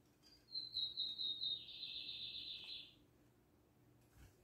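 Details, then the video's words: Lined seedeater singing in the Libanês song style: a quick run of high, sweet whistled notes lasting about a second, then a slightly lower, dense buzzy trill of over a second that stops abruptly; faint low hum in the background. "bigodinho Libanês cantando"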